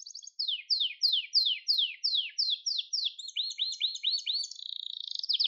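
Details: Gloster canary singing, used to rouse and train other canaries: about ten clear downward-sweeping notes in steady series, then looping rising-falling notes, a level whistle, and a fast buzzy flutter at the end.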